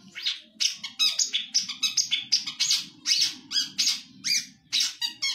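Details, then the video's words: Long-tailed shrike kept by songbird hobbyists, contest song material from 2020 with mimicked phrases of other birds: fast bursts of sharp high chirps and squeaky notes, about two per second, over a faint low hum. "Materi Cendet / Long Tailed Shike"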